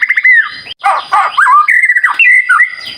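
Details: White-rumped shama in lively song: a rapid string of clear whistled notes sliding up and down, mixed with squeaky warbles and brief downslurs, delivered without pause.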